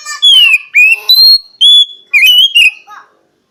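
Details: Oriental magpie-robin (kacer) in continuous whistled song, a fast string of descending and rising slurred notes with a long steady whistle near the middle, strongly phrased and varied.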